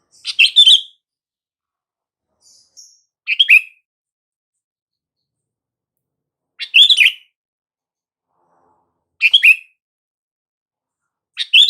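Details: Sooty-headed bulbul calls used to make silent bulbuls reply: bright warbled chirps with falling ends, repeated every few seconds, five phrases plus faint soft squeaks between them.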